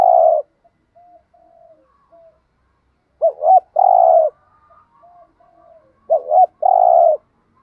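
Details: Repeated spotted dove cooing aimed at getting kept doves to coo: phrases of two short hoots and a longer rolling note about every three seconds, with faint low murmuring in the gaps.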